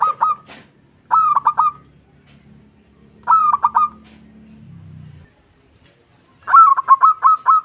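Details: Vocal local zebra dove calling companions: clusters of three to five rapid staccato coos repeating every couple of seconds, a low humming sound under one gap, and a longer closing run of notes.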